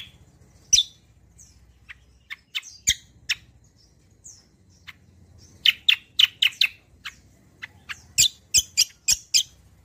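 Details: Kecial kombo performing a lively song meant to provoke and tutor other birds: sparse high tweets at first, then dense clusters of sharp, rapid chirps repeated in quick bursts.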